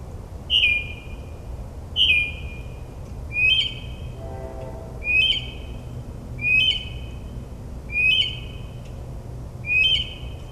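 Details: Mockingbird's nocturnal song in suburban New Jersey at midnight: one whistled, slightly falling phrase repeated steadily about every 1.4 seconds, seven times, over a low steady background rumble.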